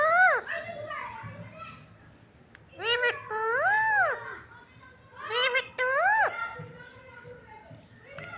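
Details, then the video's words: Talking green parrot imitates speech with long, arching syllables that rise then fall in pitch, delivered in separate phrases with quiet gaps and a low background hum. "Nonstop talking parrot"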